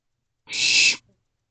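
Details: A single rasping, hiss-like screech of about half a second from owlets in a nest box, captured at night at 1:56 am on 28 May 2023, with silence before and after.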